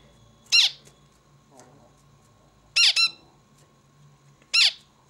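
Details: Zebra finch uttering three bursts of sharp, nasal, trumpet-like calls, the middle one doubled, spaced about two seconds apart against a low constant background hum.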